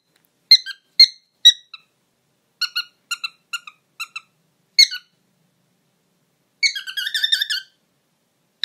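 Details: Pet bird making a string of quick, high squeaky beeps, some single and some in clustered pairs, ending in a longer warbling run of rapid chirps.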